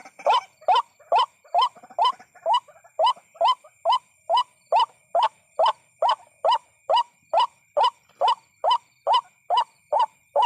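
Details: White-breasted waterhen calling at night during bird hunting: loud, regular, hollow notes repeated about twice a second, a steady rhythmic series with a faint high electronic tone throughout.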